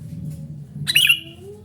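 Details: One short rasping chatter from a noisily calling sooty-headed bulbul, harsh and slightly descending, set against a low rumbling background.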